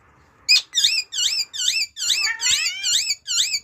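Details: Pet Amazon parrot calling indoors: a series of eight squeaky, looping upslurred notes repeated about every third of a second, high-pitched and harsh, with faint room noise underneath.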